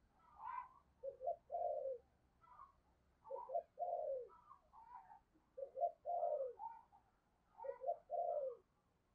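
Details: Decoy spotted dove cooing to draw in wild birds in the morning; a steady series of low phrases, short notes each leading into a longer falling coo, repeated every two seconds or so over faint background hiss.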